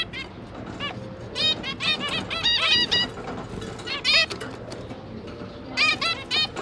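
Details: Zebra finch parents with three newly hatched juveniles: dense runs of short nasal trumpet-like calls in lively bursts, pausing briefly, then resuming near the end.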